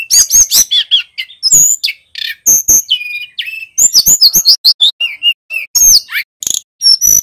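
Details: Clear, loud rolling song of a male bar-winged prinia, performed energetically. A dense run of varied sharp chirps, trills and short whistles pours out almost without pause, with a few brief gaps between phrases.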